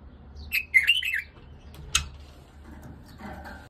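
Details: White-eared bulbul song for tutoring an Iraqi bird: a single bright, bubbly phrase of fast slurred notes, followed by a sharp click and soft rustling, with a low steady hum in the background.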